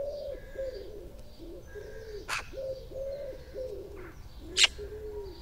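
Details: Two magpies in a small yard at six in the morning, 17/07/2018, cooing and talking quietly. Low, arched murmuring notes follow one another steadily, with a few faint high chirps. Two sharp knocks sound near the mic.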